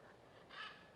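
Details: A single harsh, raspy squawk from a wild scarlet macaw (Ara macao), one of several flying nearby at Tambor Bay, Costa Rica, from a reintroduced population, rising briefly out of a steady hiss of background noise.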